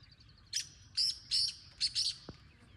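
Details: Single harsh five-note phrase of a wild black francolin at moderate distance, the scratchy notes evenly spaced, over a low outdoor background with a brief click near the end.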